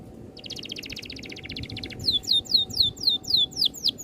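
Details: Oriental magpie-robin rolling song for bird training: a soft buzzy stuttering rattle for over a second, followed by a regular series of loud downslurred whistles, about four per second.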